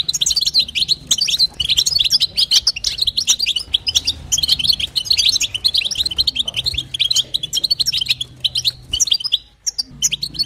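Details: Female goldfinch calling to arouse the male: long spell of rapid, bright twittering and tinkling chirps, slowing into sparser notes near the end, over a low background hum.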